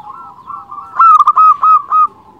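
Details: Local zebra dove song, used to lure other zebra doves and raise their breeding drive: low background cooing, then a loud series of five or six fast, rounded coo notes ending in a drawn-out coo.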